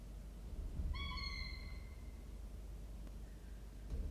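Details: A three-week-old falcon nestling, one of a presumed male and female pair in the nest, gives a single whining, slightly rising wail lasting about a second, then falls quiet over a constant low background hum.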